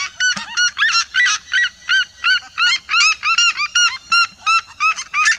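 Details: A flock of red-legged seriemas yelps together in a loud, ringing, vibrant chorus; sharp, dog-like notes come about three per second and overlap between birds.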